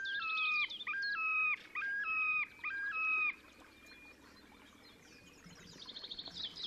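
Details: Displaying Terek sandpiper, Oka Nature Reserve, Russia, late April 2019: a run of four loud, ringing stepped whistles in quick succession, then a thin drawn-out note and faint distant calls trailing off into quiet.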